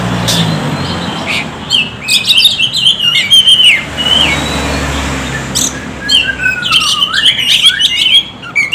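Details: Oriental magpie-robin song used as a lure to stimulate lazy birds: lively, varied chirps and sweeping whistled phrases delivered in rapid bursts with short gaps, some notes falling, over a soft low background rumble.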